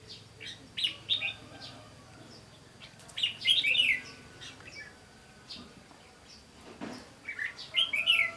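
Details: Bell-voiced red-whiskered bulbul heard during a trapping session on 15 June 2016: bright, rapid warbled phrases of sweet whistled notes, repeated in loud bursts separated by short pauses, with one brief low thump.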